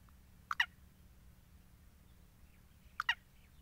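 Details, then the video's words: Black francolin calling: two short, harsh double-noted bursts about two and a half seconds apart, over a low steady background hum. "titar sultan voice"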